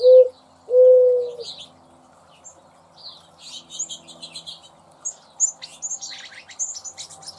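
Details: Mourning Dove cooing in a garden, with a squirrel nearby: two low, hollow coos, a short note then a longer drawn-out one, followed by faint high chirps of small birds.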